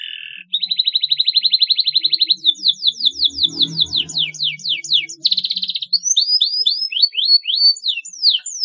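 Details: Canary singing to encourage young canaries to chirp: a short low buzz, a long rapid high trill, a string of steep downward sweeps, a buzzy roll and repeated looping whistled notes.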